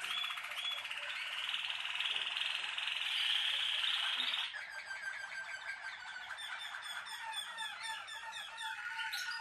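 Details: Malinois Waterslager song canary holding a dense, buzzy, watery roll for about four seconds, then breaking into quick pulsed notes at about four per second.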